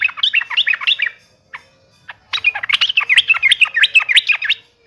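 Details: Yellow-vented bulbul in combative, taunting song: a fast chattering run of bubbly up-and-down notes, a brief pause, then a longer lively phrase. Yellow-vented bulbul.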